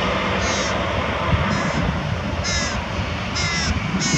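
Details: Carrion crow with prey feeding a youngster near Diemerbos, 22 July 2020. Five rough calls repeat about once a second, the later ones louder, over steady low-pitched noise.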